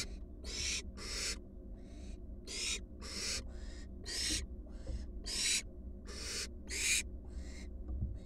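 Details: Four wild barn owl fledglings back at their nest box, giving harsh, noisy hissing screeches in short bursts, roughly eleven in eight seconds and often overlapping, over a low steady hum.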